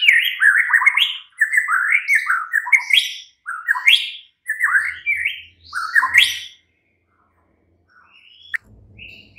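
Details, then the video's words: Night-time lure song of a white-rumped shama, meant to prompt a caged bird to reply and sing loudly: a run of varied, rich whistled phrases for about six seconds, then near silence with a faint click and low hum. "Pancingan Murai batu MALAM HARI jadikan NYAUT GACOR dan NGEPLONG"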